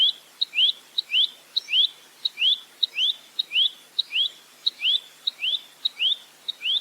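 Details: Clear velvet-fronted nuthatch 'full roll tembak' song: crisp tick, then a rising whistled slur, repeated regularly about every 0.6 seconds with little background noise.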